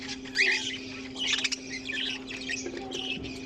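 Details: Budgerigars from a mixed colony with cockatiels: a loud harsh squawk early on, then clustered chirps and buzzy chatter in short bursts, a low steady hum running throughout.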